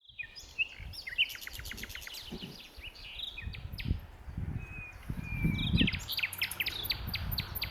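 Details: Common nightingale singing at Westleton Common on 8 May 2025: bursts of rapid repeated staccato notes, clear whistles and sharp trills in varied phrases, with low rumbling background noise.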